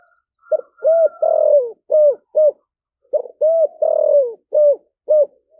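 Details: Spotted dove calling in the local 'giọng thổ sấm thúc gù' voice style, described as rare. Two matching phrases of low hollow coos, each with about five notes and a longer drawn-out central coo slurring downward, separated by a short pause. The background is quiet.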